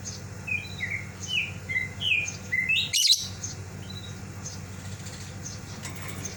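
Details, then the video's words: Lovebird left in its cage calling for its companion outside: quick, high chirps for about three seconds, a brief burst of rustling or flapping, then near quiet with a low hum. "Love bird memanggil teman nya yang keluar dari sangkar"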